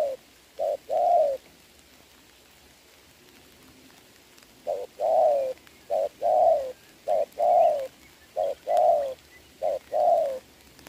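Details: Spotted dove in a bird-trapping contest between a decoy and a wild bird in the rain, 26 November 2022; about six low two-part coos, a short note then a longer falling one, after a quiet gap.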